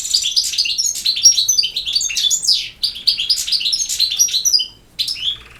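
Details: Goldfinch singing campero style: a rushing sequence of high twitters, sweeping slurred notes and rattling trills, ending with a short pause and a final twittered phrase.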